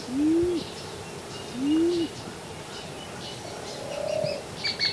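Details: Band-tailed pigeon (Patagioenas fasciata) giving deep, hollow, slightly rising-then-falling coos spaced a second or two apart, with faint high chirps from other small birds behind.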